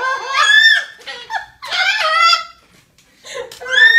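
A cockatoo gives three loud, harsh bursts of squawking with a laugh-like, wavering quality, each about half a second to a second long, in a small room.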